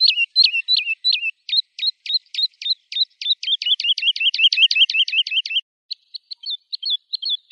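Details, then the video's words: Woodlark song: a few slurred liquid notes, then a series of sharp notes that grow faster and louder into a rapid flourish, ending after a pause with quiet, scattered phrases. Background is clean. "تغريد طائر الولوال Woodlark Alouette lulu"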